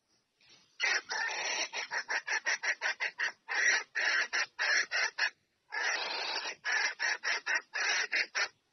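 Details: Red junglefowl female calling the male in to mate, delivering long, fast sequences of harsh, raspy clucking pulses separated by a brief pause, in clean quiet surroundings.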